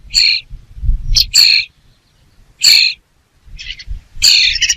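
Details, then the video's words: Layered, harsh bird screeches come in grouped bursts with short pauses between, over a rumbling low background noise. "The sound of a bird"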